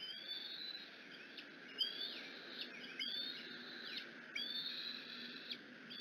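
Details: Bald eagle eaglet on the Decorah nest calling around its mother's arrival with food; fainter, overlapping whistled screeches and short piping notes sliding up and down, continuing through the clip over constant hiss.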